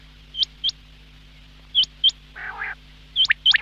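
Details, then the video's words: Quail calling in the morning: sharp, high, clipped notes in quick pairs, about one pair a second, with a brief nasal, buzzy sound midway and a steady low hum. "Quail Sound , Bater Ki Awaz"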